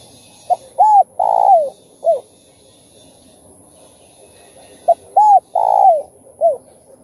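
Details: Spotted dove in thúc, gù and calling-coo style for stimulating other doves, delivering two identical phrases about four seconds apart. Each is a brief note, an arched coo, a long trembling coo sliding downward and a short end coo.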